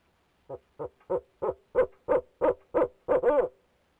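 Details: A male barred owl calls from the nest box, nine evenly spaced hoots rising in volume and closing with a longer quavering note, roughly three per second.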